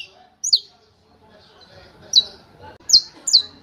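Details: Saffron finch singing the style known as canto martelo ('hammer song'): four sharp, high downslurred chips spaced unevenly over a few seconds, with faint low murmuring in the background.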